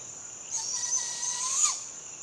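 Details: At sunrise a young Barred owl gives a harsh, breathy begging screech of just over one second. It builds gradually and lifts sharply at the close, over a constant high-pitched drone of insects.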